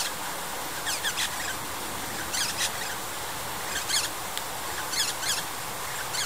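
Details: Eastern rosella (Platycercus eximius), call.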